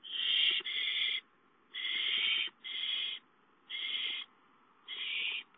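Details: Nesting owl after a gopher delivery gives six harsh, breathy hiss-screeches, the first two joined, the rest spaced by irregular pauses, with faint rustling beneath.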